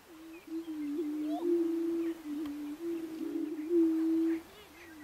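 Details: On a Nebraska ranch lek in 2011, greater prairie chickens give a continuous low hooting drone, long overlapping moans with slight wavers, plus scattered faint higher cackling notes.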